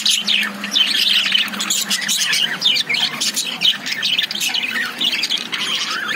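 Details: Several caged lovebirds squawk and chirp over one another in a dense, harsh chorus of short grating notes, with a low hum audible early on.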